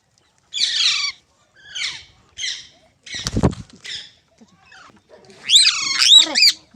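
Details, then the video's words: Green parrot, described as talking, giving short, rough chirrups separated by silence, one low thump midway, and a final bright series of wavering, rising and falling squeals. "Green Parrot Talking Natural Sounds | Mitthu Ki Awaaz | Tote Ki Awaaz"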